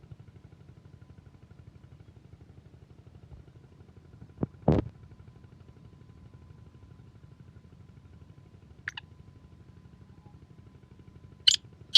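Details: Steady low mechanical hum with a few sharp clicks and knocks; no animal sound is heard.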